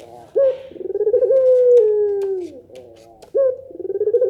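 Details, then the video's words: Barbary dove cooing in the pelung nangguk style that draws responses from other doves; one full coo with a throbbing middle and long descending finish, then a second coo beginning. "suara puter pelung nangguk bikin puter lain saling respon"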